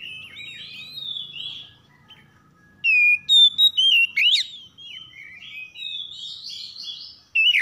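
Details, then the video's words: Harsh 'kasar' morning song of oriental magpie-robins (kacer) answering one another. Soft warbling gives way to a burst of loud piercing whistles and downslurs, then buzzy chattering phrases and a final sharp note. "PANCINGAN KACER PAGI HARI SALING SAUT SAUTAN KASAR"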